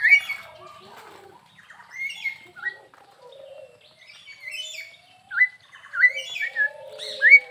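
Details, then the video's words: Crested myna in energetic song at Perbaungan zoo park: scattered whistles and chirps, quiet at first, then building into a cluster of rising notes near the end. "Suara Burung Jalak Hongkong Gacor"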